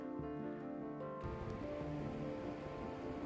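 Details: Sustained instrumental music with layered tones, joined midway by a dense, rain-like wash of noise, with no animal voice audible.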